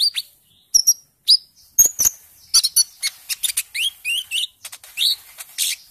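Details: Young olive-backed sunbird, early green-speckled plumage after juvenile stage, recorded as lure song: scattered high squeaky notes and clicks give way to a quick series of bright rising chirps and warbles.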